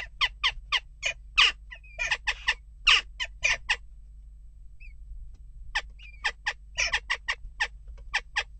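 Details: Jackdaws (western jackdaw) at a nest box in a spell of unrest, calling in steady runs of short, harsh notes. A near-silent gap in the middle holds a faint soft note before the rapid calling resumes.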